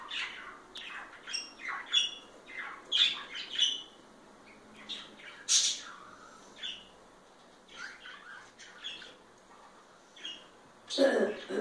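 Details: Two parakeets showing each other affection give soft, scattered chirps and squeaky warbled notes in short bursts with quiet gaps, ending in a louder harsh squawk.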